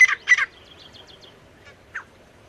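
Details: Male and female partridges (teetar): two loud, harsh notes in quick succession open the clip, followed by faint twittering and a single softer rasping note near the end.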